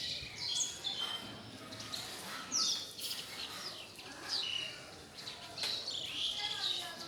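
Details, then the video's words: House sparrows bathing and playing in mud in a cow shed in India: bright, irregular chirps from several birds, short notes scattered across the clip, over a constant rural background hiss. "Sparrows Cleaning there Body with Mud, Sparrows Playing with Mud in India"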